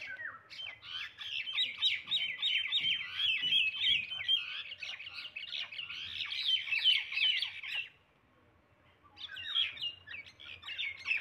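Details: Indian common myna (shalik pakhi) in a long, dense stream of scratchy, gurgling chatter mixed with short whistles and clicks, falling silent near the end before a final burst of squeaky notes.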